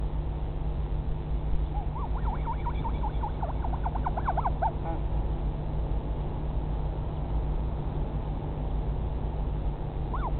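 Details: Northern royal albatross chick at its nest in the colony at Pukekura/Taiaroa Head near Dunedin, New Zealand, filmed in 2017: a rapid run of short, wavering nasal notes for about three seconds, then a single rising-falling note, over a steady low hum.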